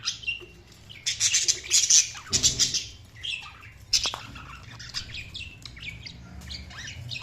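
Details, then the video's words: Budgies give busy high warbling chatter, loud at first, then thinning into scattered chirps and squeaky notes. "Budgies Sounds| Budgies Chirping sound"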